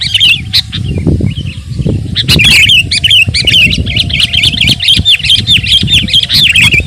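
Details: Sooty-headed bulbul singing hard, used as tutor and lure audio: a few scattered chirps open, then from about two seconds a fast unbroken chain of warbled notes, over a strong low rumble.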